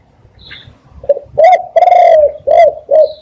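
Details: Spotted dove cooing as a lure for catching doves: soft lead-in notes, then loud husky coos including a long held note and two shorter falling ones; a high thin chirp from another bird sounds at the start and end.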